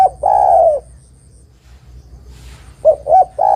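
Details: Spotted dove song, a lively lure recording for attracting and trapping other doves: a long low hoarse coo, a pause, then two short clipped coos and another drawn-out coo, with a faint steady high whine in the background.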